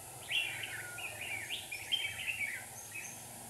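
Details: Decoy red-whiskered bulbul singing from a trap in Hòa Bình, Vietnam, to attract wild birds: a short run of lively chirped and warbled notes, slightly slurred, over faint hiss.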